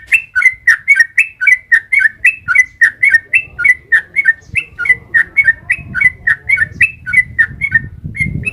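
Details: Yellow-vented bulbul in a long rapid-fire song, used as a lure so other birds answer and sing. Short whistled notes repeat about twice a second in a steady string, with low rumbling noise growing toward the end.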